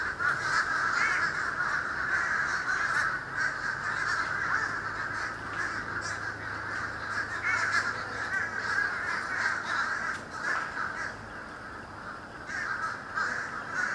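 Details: Birds in a sky-darkening flock above Florida on 31 December 2011, caught on camcorder. Countless harsh calls blend into a constant clamour, with fast, irregular bursts and a faint low drone in the background.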